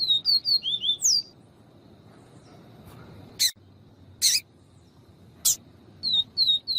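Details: Papa-capim viviti, the yellow-bellied seedeater, with a female calling to stimulate the male: quick high whistled notes, some sliding downward, open the recording. Three separate broadband bursts follow after a pause, then a short closing run of whistles.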